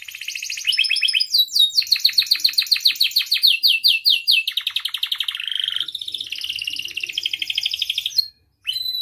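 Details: Canary master song meant to get canaries singing: a long continuous rolling trill of fast repeated notes gliding gradually lower in pitch, then rising buzzy phrases, a brief pause and a short whistle.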